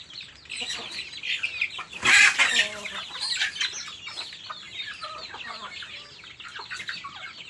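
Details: Several chicks calling while they eat: rapid, irregular high peeps, each falling in pitch, packed closely together, with a loud scratchy burst of pecking or rustling about two seconds in.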